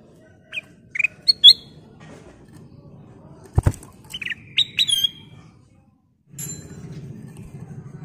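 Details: A kutilang emas (golden bulbul) in full varied song, used as a lure recording: short, loud whistled notes in scattered bursts, some sliding and warbled, over a steady low background rumble with a sharp click.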